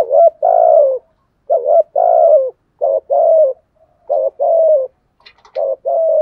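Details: Rapid 'thúc gù' cooing from a spotted dove with a 'giọng thổ' voice: paired low, hoarse coos, a short one then a longer falling one, repeated about every second with little pause.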